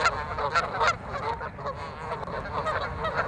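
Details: Honking Canada geese fight over turf at Waveland Lake, Chicago's North Side; loud nasal honks burst out in the first second, then a steady chorus of overlapping calls follows.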